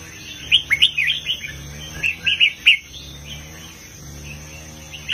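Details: Red-whiskered bulbul singing a southern master-song style with heavy phrases: bursts of bright, quick, warbling whistled notes in two clusters, over a steady low electrical hum and a thin constant high whine.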